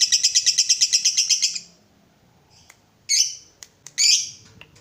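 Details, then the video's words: Lovebird ngekek, used to stimulate others to sing. A short burst of pulsed chatter, a pause, then two harsh, loud squawks and faint clicks. "PANCINGAN SUARA BURUNG LOVEBIRD UNTUK MERANGSANG LB APAPUN CEPAT NGEKEK"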